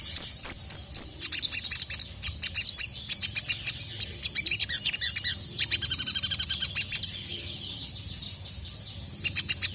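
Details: Agitated sogon (Sogok Ontong) calling a male: starts with four clear high whistled notes, then fast, high, sharply repeated chips, about three or four per second, turning into a continuous high twitter; faint low hum.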